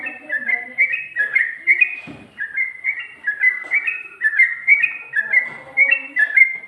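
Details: Sooty-headed bulbul in continuous ropel song, ngikluk style: bright two-tone whistled notes, each stepping down then up, in a fast chain of about three per second with one brief break.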